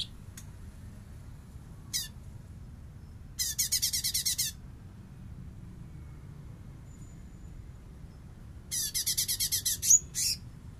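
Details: Master training recording of a light-vented bulbul in full bessetan: a short scratchy note, then two harsh rattles of fast buzzy pulses about five seconds apart over a steady low hum.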